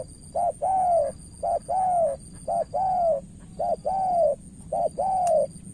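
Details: Decoy spotted dove, Cà Mau, Vietnam, striving against a skilled opponent: rhythmic coo pairs, brief note then longer rounded descending note, repeated evenly about once a second; faint constant high-pitched hum in the background.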